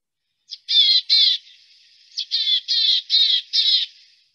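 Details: A Willow Tit in Warwickshire woodland in winter gives two bursts of harsh, nasal, buzzy 'tchay' notes, each opened by a thin high note and repeated quickly in strings of two and four; its call differs from the sneezing 'pichu' of the Marsh Tit.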